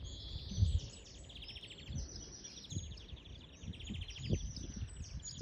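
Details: Wild European greenfinch singing outdoors: bright twittering trills repeated in quick runs at high pitch, over a low rumbling background with a few thuds.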